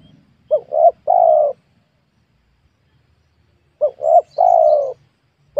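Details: Spotted dove calling during an attempt to lure wild birds in a newly worked small oil palm plantation: two three-note coos, each made of two short quick notes and a longer, slightly falling, mellow note, with a quiet pause between them.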